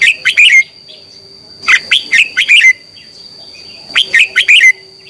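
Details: Red-whiskered bulbul's morning song for training: lively phrases of four or five bright whistled notes ending in a downslurred note, repeated about every two seconds over a faint steady whine.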